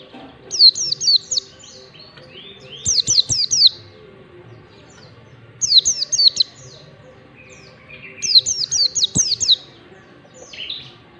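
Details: Mountain white-eye, ngalas singing style for bird training: four clusters of rapid, piercing, downward-sweeping whistled notes roughly every two and a half seconds, with a few softer chirps between.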